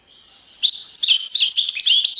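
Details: Serfati tiwawati style goldfinch song: after a faint hum, a sudden dense outpouring of high, tinkling, rapidly changing notes, bright and continuous to the end.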